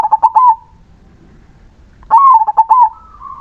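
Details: Zebra dove of crossing lineage singing sweetly, as stated: two loud bursts of rapid cooing notes, each a quick trill of stuttered, slightly rising coos, separated by about one and a half seconds of quiet, ending in a steady level note.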